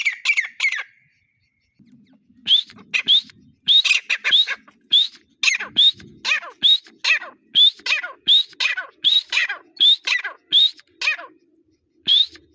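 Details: Grey partridge, known locally as teetar, calling in breeding season: a long series of sharp rising whistled notes repeated steadily, with a low rustle and soft thumps beneath.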